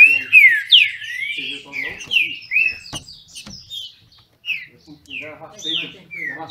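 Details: Green-winged Saltators, bred in captivity in Brazil, dueling in song: an opening flurry of loud looping whistles, a pause with a sharp click, then spaced, clear downslurred notes.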